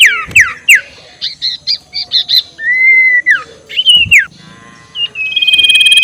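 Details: Ngekek call of the ashy tailorbird used to goad rivals: falling whistles, a chain of short clipped double notes, an arched drawn whistle, then a fast high trill.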